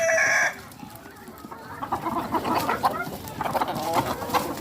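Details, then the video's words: Farm hens: a short loud squawk at the start, followed by soft, repeated low clucks over rustling background noise. "hens sounds"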